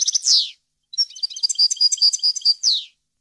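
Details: A tutor recording of a European goldfinch, its clean varied wild song meant for young birds and hybrids. A descending buzzy slur is followed by a pause, then quick liquid twitters and another falling nasal buzz.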